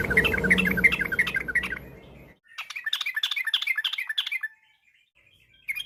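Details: Yellow-vented bulbul singing a lively, varied afternoon song meant as a lure for other birds: a bubbly warbled phrase over a low hum, then a clear run of rapid chattering notes, ending with one short note.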